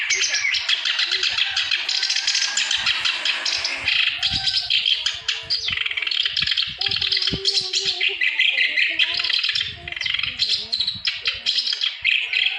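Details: Clamorous reed warbler song meant to get quiet birds singing: loud, continuous harsh chatter and rasping trills, with brief higher squeaks and some soft low knocking throughout.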